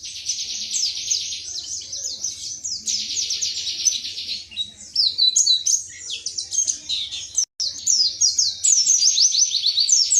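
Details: Pleci (wiksar white-eye) from Indonesia singing in the 'tembakan materi' style: rapid, dense runs of high, thin chirps and trills, steady for about seven seconds, a short break, then further twittering bursts.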